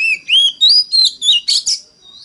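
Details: Short phrase of Oriental magpie-robin song in mountain-forest style, meant to prompt other magpie-robins to sing: clear upslurred whistles, each a little higher, ending in two scratchy, harsher notes.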